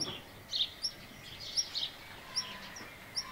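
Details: Black redstart (Phoenicurus ochruros), call.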